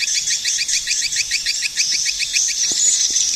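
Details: A steady string of short, sharp swiftlet chirps, roughly two or three per second, over a faint high twittering background.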